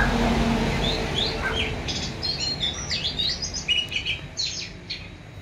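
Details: Hand-raised Oriental magpie-robin singing a quick, varied run of high whistled and chirped notes that sweep up and down, over a steady low background rumble.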